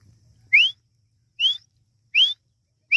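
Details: Partridge chicks, the Irani teetar: clear rising whistles, each short and upslurred, repeated roughly every 0.8 seconds over a faint low rumble.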